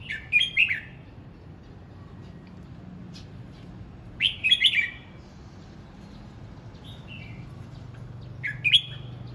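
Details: Practising red-whiskered bulbul repeating cheerful warbled phrases about every four seconds. Soft whistled notes sit between them, and a faint low hum runs underneath.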